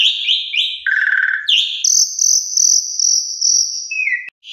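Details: Asian pied starling (Jalak Suren) in full, lively gacor song, used as a tutor recording for beginner birds: high whistled and buzzy phrases, a low rattling burst, then a long sustained high whistle, varied and continuous.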